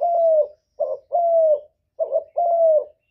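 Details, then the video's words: Repeated cooing of a spotted dove: soft, low phrases, each a brief wavering note followed by a drawn-out steady coo, given twice in quick succession without other sounds. "Chim Cu Gáy Kích Nổi Cực Phê, Nghe là gáy theo liền"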